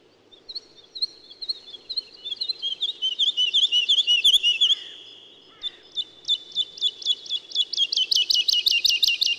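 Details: Woodlark song: a sweet, high, rolling run of notes that gradually rises in volume, followed after a short break by evenly spaced, loud, looping notes that form a ringing trill.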